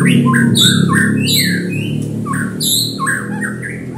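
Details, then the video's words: White-rumped shama singing a provoking lure song: fast bursts of bright whistled and slurred notes, rising and falling, with steady low rumble underneath. "Murai Batu Memancing Bunyi"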